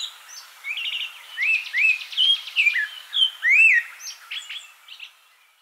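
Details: African Abyssinian thrush song: a lively sequence of slurred upward whistles, rising and falling notes and short buzzy trills, phrases changing constantly over a few seconds, with a calm natural backdrop.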